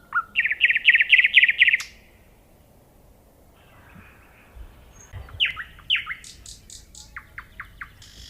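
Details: Loud nightingale phrase of fast repeated buzzy notes for nearly two seconds, a silent gap, then sweeping downslurred whistles and a series of clipped high chips.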